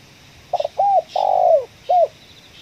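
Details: Coffee-field spotted dove, kuk 1 with the ngeruk sound, during bird luring: stuttered opening, arched coo, drawn-out rough note sliding lower, then a single short coo; faint hiss behind.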